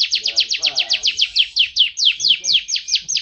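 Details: Canary song meant for training pet songbirds: a rapid rolling trill of downward-sweeping notes, about five a second, with a faint murmur underneath.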